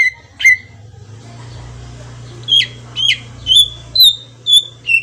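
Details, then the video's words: Green leafbird song as a lure to prompt a reply: clear whistled notes repeated about twice a second, some sharp upward-flicked, over a low steady hum. "pancingan cucak ijo auto nyaut bunyi langsung"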